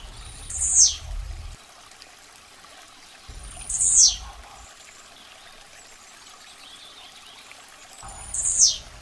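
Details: Blue-black grassquit repeating a brief, very high, downward-sliding buzzy note roughly every four seconds, three times, with quiet pauses between and low background rumble around each note.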